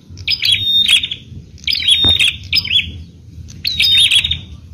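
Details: A bar-winged prinia sings three bright, buzzy, high-pitched bursts, each about a second long with a trilled, chattering quality, separated by short pauses, a song used to provoke other prinias to call; a single faint click is heard.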